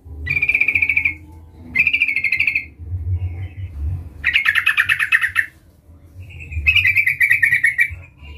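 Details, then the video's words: Bold yellow-vented bulbul summoning a rival as a lure call: four spaced bursts of rapid, rolling chatter, some steadier and some rougher, with quiet gaps and a low hum underneath. "Suara Panggilan trucukan gacor Memanggil Lawan"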